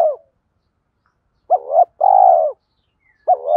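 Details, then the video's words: Spotted dove calling, used to stimulate training birds, cock and hen both featured. A trailing coo ends, then after a silence a wavering double note and a long, hollow, even coo sound, with another phrase starting. "Tiếng chim cu gáy THÚC GÙ Gáy Gọi"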